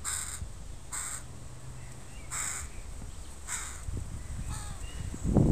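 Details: Crow family with young crows in a park: five harsh, nasal caws at roughly one-second intervals, fading toward the end, followed by a close low thump, over constant low rumble.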